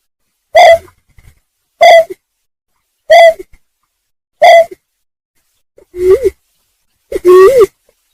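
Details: Greater painted-snipe (Rostratula benghalensis) calling, used as a lure for trapping: six short, hollow hoots about every 1.3 seconds, like blowing across a bottle, the last two lower and swelling upward.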